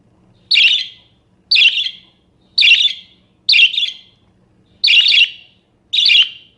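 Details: Budgerigar chirping in varied song, meant to train or prompt other birds: six rasping, noisy bursts, each about half a second, spaced roughly one second apart, with a faint low hum behind.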